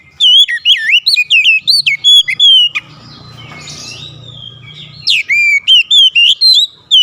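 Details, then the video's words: Oriental magpie-robin song: rapid sequences of loud, looping whistles with bright upslurs and downslurs. A mid-clip gap holds soft rustling and faint notes, then a vigorous whistled phrase resumes. "SUSUNAN KICAUAN KACER YANG INDAH DAN ENAK DI DENGAR"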